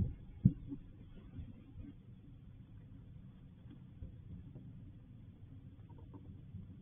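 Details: Low, steady rumbling background with one sharp knock near the start; no animal voice is heard.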